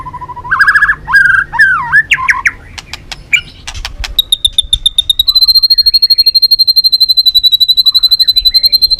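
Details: White-rumped shama, the Balak 6 type, song used as a lure for catching birds: varied whistled phrases with rising and falling slurs, then a long run of rapid high repeated notes, about four per second.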